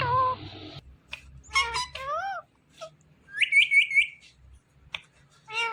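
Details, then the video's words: A pet Indian ringneck (rose-ringed) parakeet talks in several rapid, harmonic speech-like phrases, then a quick run of high chirps; a brief buzzy noise comes first. "Parrot New Talking"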